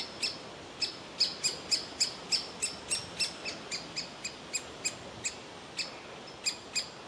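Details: Young woodpecker sitting in a tree hole begging its parents for food; loud, insistent series of short sharp calls, three to four per second, with slight pauses in rhythm.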